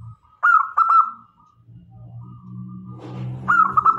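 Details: Local zebra dove sung as a decoy for luring male and female doves: a pair of quick trilled coos, then a later burst, over a steady low rumbling hum and a faint high tone.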